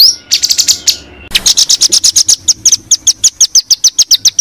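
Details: White-rumped shama tutor recording for competition training: long, steady series of quick high chipping notes, around five per second, continuing almost without pause.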